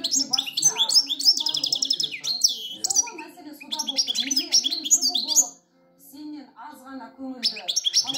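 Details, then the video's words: Goldfinch singing: rapid, high twittering phrases of buzzy trills and sharp chirps, delivered in dense bursts with a brief pause near the middle, over a faint lower murmur in the background. "Щегол поет"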